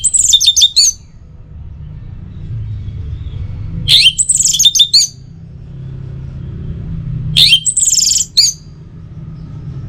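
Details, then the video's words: Orange-headed thrush singing, used as a morning and evening lure to get caged birds singing: three short bursts of bright, high, jumbled twittering notes, about three seconds apart, over a faint low rumble. "Pancingan Suara ANIS MERAH Untuk Pagi dan Sore Hari Agar Burung Jadi Tambah Gacor"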